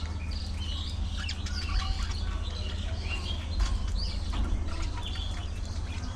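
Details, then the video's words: Budgerigars in a social colony, scattered high chirps and short warbled notes from several birds overlapping irregularly, over a steady low mechanical hum. "Budgie Parrot Colony! A Colorful & Chirpy Paradise!"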